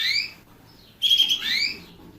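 A canary sings bright, high whistled phrases: a quick sweeping note, a brief pause, then a loud trilled burst with rising slurs.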